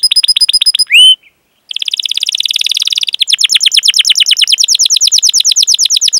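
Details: Canary singing long rolling cuit-cuit phrases, used as a lure for young or silent canaries; short repeated notes, a rising whistle, a brief pause, then a sustained buzzy roll becoming rapid falling whistles.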